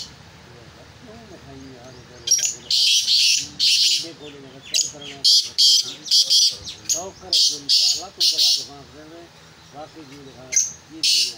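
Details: Black francolin being prepared for chakri gives a long series of loud, rasping, high bursts, roughly two per second in uneven runs, while a man talks quietly underneath.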